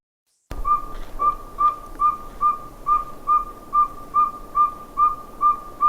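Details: Northern saw-whet owl, a small nocturnal owl, giving a steady series of high, even beeping toots, about two or three per second, like a high-pitched fast truck backing up.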